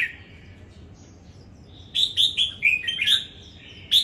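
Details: Red-whiskered bulbul kept as a cage bird in Đồng Nai, in competition singing: after a near-silent start, six or seven loud, clear whistled notes in a quick, uneven series, some dipping and sliding, then one final sharp note.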